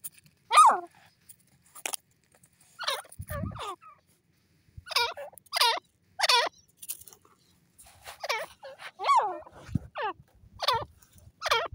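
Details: Irani Dakhni grey francolin calling: a series of harsh, harmonic notes that drop steeply in pitch, given singly or in short groups with irregular pauses, and a few low thuds between them.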